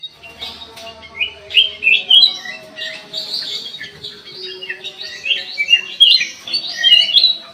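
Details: Black-crested bulbul singing in an aviary: bursts of bright, chattering whistled phrases rising and falling, with quick slurred notes following one another irregularly, over a faint steady low hum.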